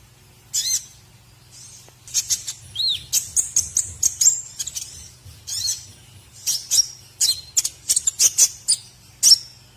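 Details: White-rumped shama (murai batu) song used as a masteran training recording for other birds to learn, with contest-style filler: bursts of high, sharp chattering notes and short whistles, some falling slurs, in irregular phrases over a faint steady low hum.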